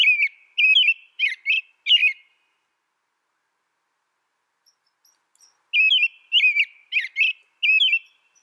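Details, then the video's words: An American robin delivers two song phrases about four seconds apart, each made of four or five warbled, slurred whistles with thin high overtones. "American Robin Bird Sound, Bird Song, Bird Call, Bird Calling Chirps"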